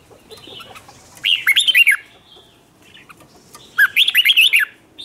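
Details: Newly caught red-whiskered bulbul singing a competitive song meant to provoke other bulbuls. It gives two short bursts of rapid, liquid warbled notes about two and a half seconds apart, with a quiet background between them.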